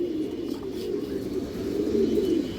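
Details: Flock of fancy pigeons, including young birds, held for sale in Jatrabari; a dense, low, purring coo chorus with a clearer wavering coo swelling toward the end.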